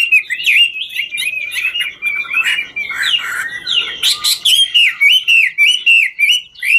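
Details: Chinese hwamei delivering ngũ trường style song while dancing, a dense torrent of rapid warbles and rich slurred whistles, some harsh, buzzy bursts midway, then evenly spaced ringing notes toward the end.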